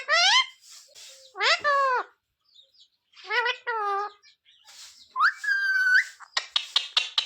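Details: Talking parrot imitating Hindi phrases like sita-ram, jay shree ram and mummy papa: rasping syllables, a sustained flat whistled note near the end, then rapid clicking pulses.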